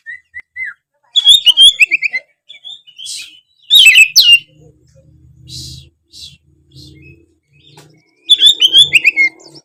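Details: Oriental magpie-robin singing persistently, meant to stir lazy magpie-robins into singing: loud rapid bursts of high chattering and whistled notes, pauses with softer scratchy phrases, then another fast ringing burst.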